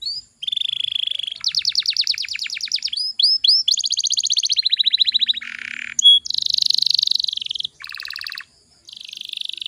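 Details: Canary singing to lure young canaries into song: varied high trills of rapid sweeping notes, repeated upslurred whistles, a lower buzzy roll and dense high rattles, strung almost continuously with brief breaks.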